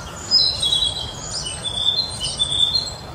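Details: Narcissus flycatcher singing in a park at Mizumoto Park, photographed 1 May 2023, a young bird; high whistled phrases with short trills around the upper register, repeated in quick bursts.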